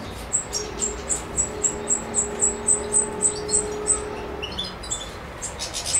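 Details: European goldfinch, Macedonia, 7 July 2011, Suki Makedonski song: a clear series of about fourteen identical very high chirps evenly repeated every quarter second, then breaking into mixed twitters, with a faint low hum behind.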